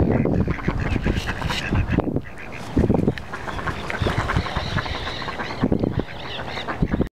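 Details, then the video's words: Mottled duck × mallard hybrids at Walter Fuller Park give harsh, nasal quacks in uneven bursts, several birds calling over one another with a low rumble of background noise. "Mottled and Mallard Hybrids"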